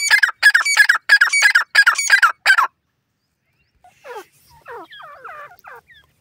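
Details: Partridge chicks (teetar) on the run: a fast string of harsh, regular squawks for over two seconds, then a pause and a soft run of thin downslurred chirps.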